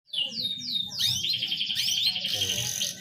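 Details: Canary song played to stir a reluctant bird into breeding condition: high twittering notes, then rapid rising and falling sweeps, then a dense buzzy trill held to the end, with low background rumble.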